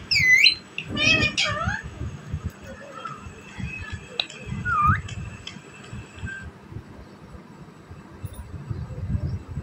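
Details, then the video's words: A talking Indian ringneck parrot gives a few sharp, high whistled and squawky phrases in the first five seconds, with low room rumble and faint background noise throughout. "Ringneck parrot bird talking,desi parrot ki voice"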